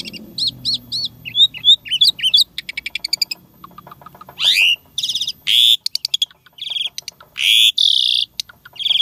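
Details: Jalak Suren, the Asian pied starling, delivering lively isian tembakan fill-in song. Arched whistled notes give way to a rising sweep, dense click series and loud harsh buzzy blocks.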